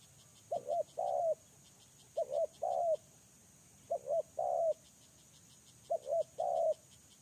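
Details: Lure spotted dove repeating a phrase of a short double coo and a longer coo, phrases spaced about every two seconds, with ticking insects audible throughout.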